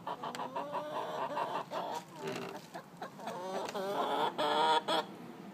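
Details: Hens joining in the egg-laying song before laying, nest boxes in use: overlapping cackling clucks and rising squawky notes from more than one bird, with background noise.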